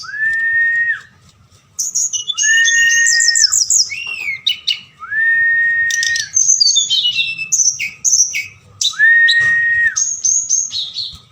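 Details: Forktail at night, a lure sound meant to rouse other birds to reply: long level whistles repeat between bursts of high twittering trills and squeaky chatter.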